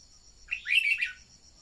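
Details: Decoy red-whiskered bulbul, recorded to encourage newly caught birds to sing. It gives a single rich, rolling warble lasting about half a second, over a faint high insect hum.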